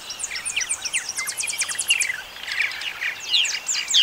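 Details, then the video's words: Purple martin: quick rattling chirps and downward-sliding whistled notes, then croaky gurgling phrases, all over a steady background hiss. "Purple Martin Song Sound"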